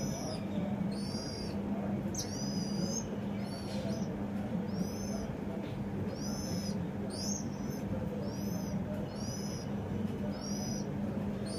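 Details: House sparrow at a home, giving a steady series of sharp, arched chirps, each with bright overtones, repeated roughly every second over a constant low hum.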